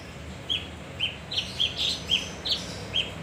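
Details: Kinoi, male leafbird, singing as a lure: a steady string of short high whistled notes, about eight in three seconds, some with a buzzy edge, over a low hum.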